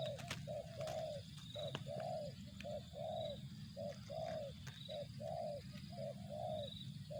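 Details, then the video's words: Spotted dove (tekukur) in 'target zong' style: steady string of mellow coos, short notes paired with longer purring ones, repeated about once a second, faint high thin whistles behind, low rumbling noise throughout. "suara burung tekukur target zong"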